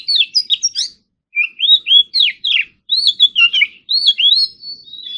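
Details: Oriental magpie-robin practising its contest-style song in the morning, with mimicry. It gives a steady flow of loud, varied whistled phrases with sharp rising and falling slurs and short trills. Brief gaps separate groups of notes.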